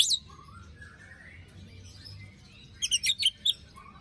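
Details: White-rumped shama song used as a lure to restart birds that stopped singing after moulting: faint, rising whistled notes, then a cluster of sharp, loud, high rasping bursts near the end.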